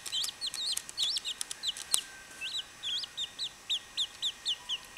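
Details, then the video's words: Young chachalacas give loud, piercing peeps that rise then fall, packed closely at first and then spaced about every third of a second. A few sharp clicks and knocks are heard early on. "CHACHALACAS BEBE"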